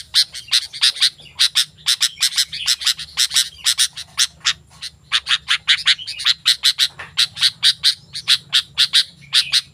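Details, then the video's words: Sooty-headed bulbul giving an animated song meant to draw wild bulbuls into answering: fast, rhythmic series of scratchy broadband notes, mostly in close pairs, with only brief gaps. "Suara Burung Kutilang Gacor"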